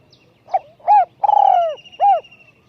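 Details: Decoy spotted dove with a small, high voice: one phrase of a brief note, an arched coo, a drawn-out descending coo and a closing arched coo. A thin high trill runs faintly behind the phrase.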